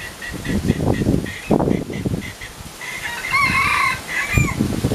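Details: Of a pair of Philippine junglefowl, one repeats short mid-pitched notes about every third of a second, then gives a longer harsh, wavering crow-like call. Steady rustling and thuds fill the low end.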